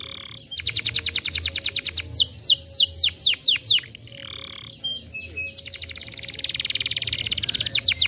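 A canary sings rapid, rolling trills that alternate with runs of sweeping, down-slurred whistled notes, all high-pitched and continuous with no pauses.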